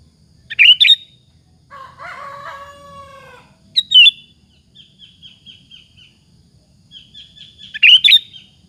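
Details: Sooty-headed bulbul singing briskly as a lure for other bulbuls to answer: three sharp bubbly phrases, a rooster-like crow between the first two, and a thin repeated whistle trailing after the second.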